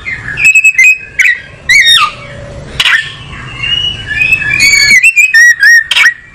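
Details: Kacer (oriental magpie-robin) singing: level whistles, harsh downslurred notes, a soft low whistle, then a run of bright sliding whistles and quick trilled notes toward the end.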